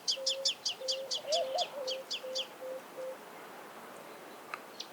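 A sunbird sings a quick run of about ten high, thin, down-slurred notes, roughly four a second, over a lower broken piping tone. Faint chirps follow.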